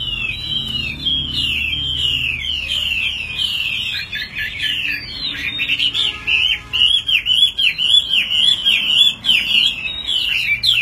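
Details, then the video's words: Caged, tame Chinese hwamei, a fighting bird, singing while carried by hand with the cage shaken. Loud, fast, varied song of slurred whistled phrases and rapid warbled trills, continuous throughout, with sharp clicking notes in the second half. "Chim thuần 200%,Sách tay lắc lồng hót hét mọi địa hình,Chim đấu tốt"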